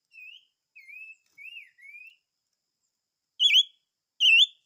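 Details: Chim ngũ sắc gives four quiet, sliding whistles in a row, then, after a pause, two loud wavering whistled notes.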